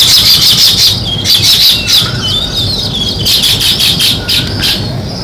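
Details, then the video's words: Sparrows chirping in clustered bursts of rapid, high, scratchy notes, pausing briefly between bursts, with many birds calling at once and a faint low hum beneath. "Sparrow Chirping Sounds | Natural Sparrow Sound"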